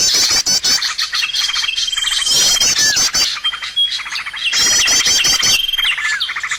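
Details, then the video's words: Birds calling as a trapping lure: long level high whistles held over rapid chattering trills, with curved downslurred notes, arriving in loud bursts roughly every two seconds. "SUARA PIKAT BURUNG paling d cari!!"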